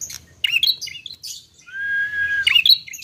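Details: Young bar-winged prinia: bursts of sharp, high chirps and squeaky notes, then a long, steady whistled tone, then another cluster of bright chirps near the end.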